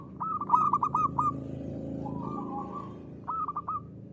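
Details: Local zebra dove, actively singing ngristal style: a rapid burst of about eight crisp staccato coos, then a softer rolling purr, and a brief closing flurry of clipped notes.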